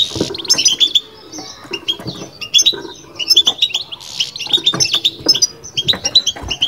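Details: Caged European goldfinch singing in the bitbita style: sparkling, tinkling twitters and short buzzy bursts broken by brief pauses, with faint knocking underneath.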